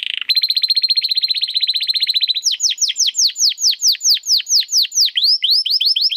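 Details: Domestic canary delivering crystal-voice song for training competition birds: a buzzy start, a long rapid high trill, then a regular run of sweeping downslurred whistles.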